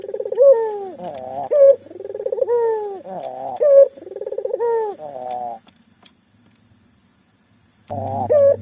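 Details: Local spotted dove calling freely, used to coax silent doves into cooing: low, hoarse coos in rolling, wavering phrases, several in quick succession, then a pause of about two seconds before cooing resumes.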